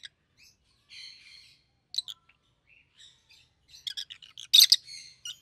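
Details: A yellow and a green rosy-faced lovebird: soft buzzy twitters build into a dense burst of shrill, harsh chirps, ending with quieter chatter.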